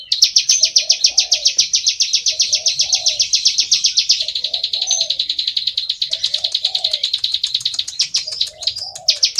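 Bar-winged prinia singing a fast, unbroken run of high, sharp chipping notes, about four a second, while a lower, softer double note repeats roughly every second.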